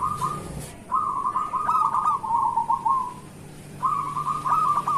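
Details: A local zebra dove, recorded as a morning lure to prompt other doves to sing, gives soft, bubbling, rolling coos in long trilled phrases around one steady pitch, with a brief pause between bursts, over a faint background hum.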